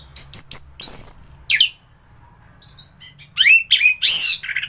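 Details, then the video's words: Caged Indonesian anis thrush in full singing form, recorded as a tutor song for other thrushes: loud high whistles and sweeping slurred notes, a long descending whistle, then bursts of sharp chattering phrases, with a low hum behind. "Burung anis gacoran || masteran untuk burung anis"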